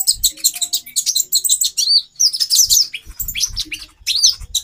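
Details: Female olive-backed sunbird giving a continuous run of piercing, high chirps and metallic twitters meant to excite a male to mate, notes tumbling rapidly with little pause, light low bumps in the background.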